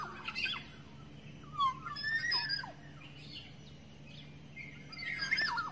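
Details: Wild black-naped oriole from the forest, recorded as a lure call: scattered clear whistles and slurred notes, some sweeping down, with buzzy bursts at irregular intervals over steady low background hum.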